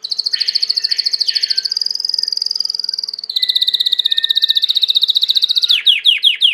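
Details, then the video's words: Belgian canary, a domestic canary, delivering long high rapid trills that shift pitch once midway, with lower notes beneath, ending in a series of descending slurred notes. "COMO FAZER SEU CANARIO CANTAR MUITO 20 MINUTOS DE CANTO"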